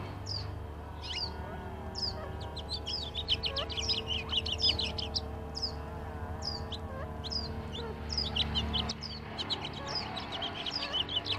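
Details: Quail pair drinking at a desert trail camera in Tucson, Arizona: many short, high, clipped chirps and soft notes in quick irregular bursts, over steady low mechanical rumble from a wood chipper or airplane.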